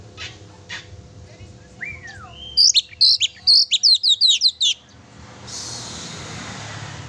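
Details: Oriental magpie-robin singing energetically, offered to provoke a pet magpie-robin: a short falling whistle, then a rapid burst of shrill, high chattering notes lasting about two seconds, followed by quiet hiss.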